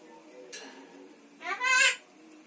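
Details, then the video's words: Indoor Javan myna imitating spoken words: a brief click, then a louder hoarse, voice-like syllable lasting about half a second. "Jalak kebo pandai bicara"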